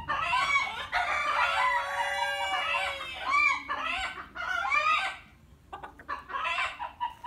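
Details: Ayam Cemani chickens, a rare all-black breed from Indonesia kept in the UK, giving loud harmonic clucking and drawn-out crowing-like calls in several bursts, a long sustained phrase first, then shorter choppy calls with brief quiet gaps.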